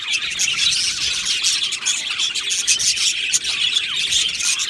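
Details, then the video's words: Colony of Australian budgies singing in an aviary: busy, high, rapid chirps blend with short falling squeaks and scratchy warbles, continuing without a break. "Beautiful Happy Budgie singing and chirping sounds"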